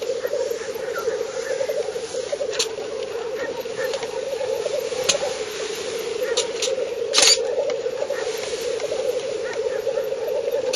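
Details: Spring lek of black grouse in northern Finland, 30 April 2011, recorded at 50–70 metres on a Fujifilm Finepix HS10 camera. A dense, unbroken bubbling chorus rolls on, broken by a few sharp clicks and a brief handling thump.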